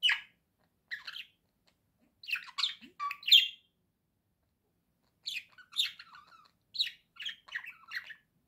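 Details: Budgerigar kept as a pet chatters in grouped bursts of harsh chirps and short whistles. Clusters recur every few seconds with silent pauses between them.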